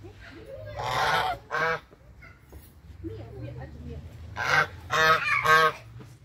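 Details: Hungry brown Chinese geese honking on a farm: loud, harsh, nasal honks in short bursts, two near the start, then a cluster of three in quick succession, over a low steady hum.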